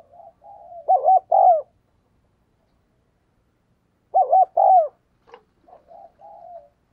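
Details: Captive decoy spotted dove cooing to lure wild doves: two phrases about three seconds apart, each a soft lead-in note, then two or three louder, throaty rising-and-falling coos, with a trailing soft coo at the end.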